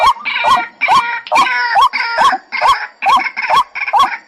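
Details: Lure recording for trapping white-breasted waterhens: a steady string of upward-curving notes, each paired with a rough, nasal, croaking burst, repeating roughly every half second.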